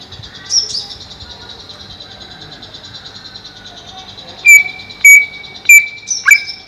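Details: Greater green leafbird kept above a pond to feel cool, said to be livelier there: over a steady high hiss, four loud, sharp whistled notes at one pitch, about half a second apart, with a brief higher chirp near the end.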